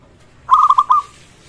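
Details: Local zebra dove in song, meant to prompt rival zebra doves to call and raise their arousal. A single rapid series of five short, rounded coo notes closes on a slightly longer, fading note.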